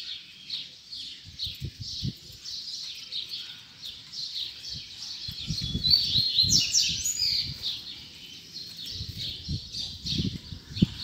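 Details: Coleiro (Double-collared Seedeater) singing in the last puxada, or singing session, of 2019: a fast run of high, chirpy, sweeping whistled notes, rising and falling, continuous for about eleven seconds, with low knocks and handling sounds beneath.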